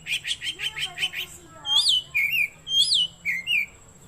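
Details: Oriental magpie-robin song, used for luring birds or tutoring caged birds: a run of quick repeated sharp notes, then loud rising-and-falling whistled phrases repeated twice, with a low hum beneath.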